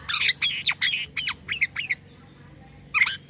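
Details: Jalak kapas starling in active song with unusual notes: a rapid string of harsh, buzzy squawked syllables, a pause, then one more grating burst.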